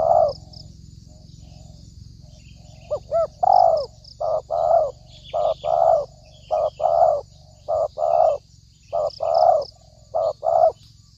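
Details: Spotted dove, used as a lure for trapping, giving a long series of coos: brief rising notes then drawn-out falling coos, steadily repeated, over a low background hum and faint high chirps.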